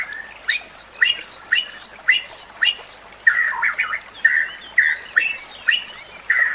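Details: White-rumped shama singing as a lesson for other shamas, repeating high descending whistled notes with short lower accents, then shifting into rich, rolling warbled phrases.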